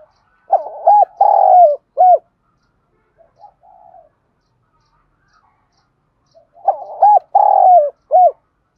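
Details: Spotted dove song in the 'giọng đồng' style from southern Vietnam, meant to draw wild doves into answering and fighting. Two full cooing phrases, each a stuttering start, a long rolling note and a clipped closing coo. A faint, softer coo is heard between them.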